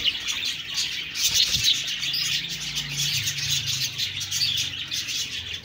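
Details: Budgies chirping in a steady stream of high twitters and warbled notes, with a soft low knock and faint hum in the background.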